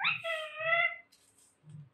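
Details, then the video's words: Indoor Alexandrine parakeets under speech training, taught the phrases "Jai Shri Ram" and "Mithu Bete"; a strong harmonic, voice-like sound for about a second, steady then falling away, with soft low thuds in the background. "Talking Parrot"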